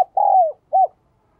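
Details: Close spotted dove coo fragment: a long mellow note sliding downward, then a short arched hoot, with silence around it.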